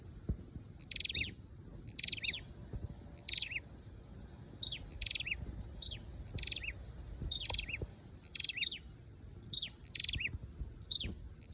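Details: Flowerpecker song played as a lure: short, sharp, high chips and quick downslurred notes in small bursts, repeated every second or so, with a steady high hiss and low background rumble.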